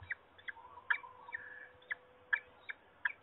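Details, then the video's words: Peregrine falcon at Trzebież, Poland, 26 March 2021, heard more distantly: scattered harsh, rasping notes at uneven intervals, with a drawn-out grating note midway and a low background rumble. "Sokoły wędrowne Trzebież (PL) 2021.03.26 - Forest nawołuje"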